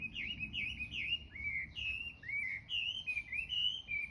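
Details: Morning birdsong: a run of bright, slurred whistled chirps, each dipping and rising, repeated about once per second, over a low background rumble.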